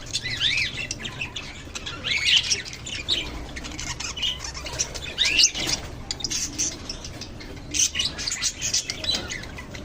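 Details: Lovebirds squawking and chirping in shrill, harsh bursts scattered through the clip, louder near 2.3 and 5.5 seconds, with wing noise.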